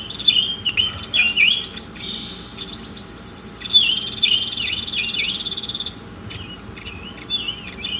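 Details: Masteran recording of Oriental magpie-robin singing: clusters of bright slurred whistles, then a sustained dry buzzing trill lasting about two seconds, and a final run of rising and falling whistles, faint hum beneath.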